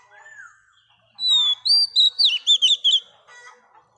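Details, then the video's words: A female Oriental magpie-robin, newly caught from the wild, sings to stimulate males; a soft slurred note leads into a loud string of about seven sweet, rising and falling whistles. "Choè than mái bổi lên giọng hót kích trống"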